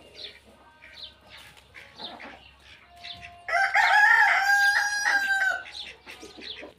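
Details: A domestic chicken flock at morning: soft clucking and small-bird chirps give way to a loud, drawn-out rooster crow lasting about two seconds, falling at the end.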